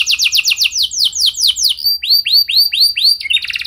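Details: High, clear canary lure song for sparking replies: a quick run of falling slurred notes, then spaced rounded whistles, finishing with a short buzzy trill.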